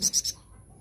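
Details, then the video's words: A flowerpecker gives three quick, very high, thin notes in about a third of a second, then falls silent, over faint background hiss; used as a lure call. "Pancingan Burung Flamboyan"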